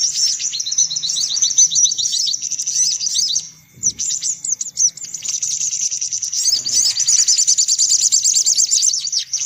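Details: Lure sound for attracting sunbirds: busy chorus of thin, high chirps and fast ticking trills, dropping out briefly around four seconds before resuming thick and unbroken.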